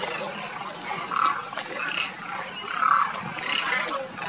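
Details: Wintering flock of demoiselle cranes from Mongolia at Kheechan village in desert Rajasthan, India: louder rolling trumpet calls stand out roughly every one to two seconds above a murmuring background of many more distant birds.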